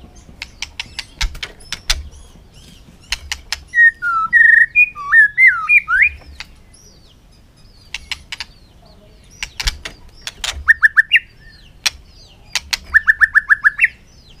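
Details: White-rumped shama in contest song in the afternoon: bursts of sharp clicks, a looping whistled phrase, then rapid runs of identical short notes repeated in quick series.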